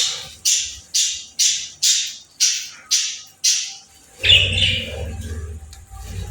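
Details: A playful bird gives seven harsh, scratchy squawks about every half second, then breaks into a busy warbling chatter over a low hum.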